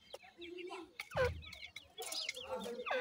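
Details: Grey francolin parent and chicks together: high chirps sliding downward come in short clusters, with a soft low clucking note early on and a louder rough burst around the middle.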